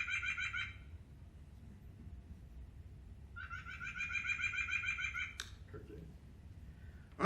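White-breasted Nuthatch giving nasal, kazoo-like notes in two quick runs, each note buzzy and rich in overtones, over a low room hum with a sharp knock at the end.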